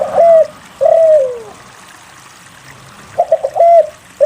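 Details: Spotted dove lure song to get lazy doves singing: a short coo and a long coo falling away, a silent pause, then a rapid stutter of three notes closing in a clear held coo.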